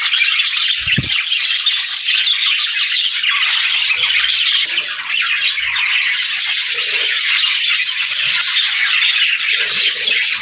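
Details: Loud, unbroken budgerigar chatter: many high, scratchy chirps and warbles overlap steadily from start to finish, with only a faint thump or two underneath.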